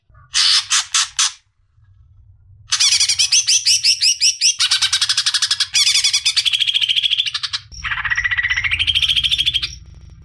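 A greater green leafbird pours out loud, harsh chattering bursts, rapid trills and bright whistled phrases.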